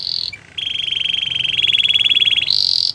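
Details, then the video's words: Gloster canary song: a long, rapid trill held near one pitch for about two seconds, between brief higher notes at the start and end, over faint low hum. "Gloster canary singing"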